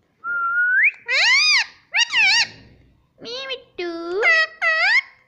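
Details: Indian rose-ringed parakeet mimicking speech, saying "mummy" repeatedly: a rising whistle, then a run of six shrill, nasal, voice-like syllables in pairs with rising and falling pitch, nearly continuous; indoors.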